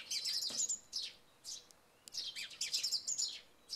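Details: Song thrush in full song at early morning after rain, helped by chirping sparrows. High, clear whistled and chirpy notes arrive in dense clusters, broken by a brief lull before another rapid burst of phrases.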